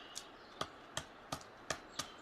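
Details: Pileated woodpecker; feeding taps; feeding, chopping into wood for food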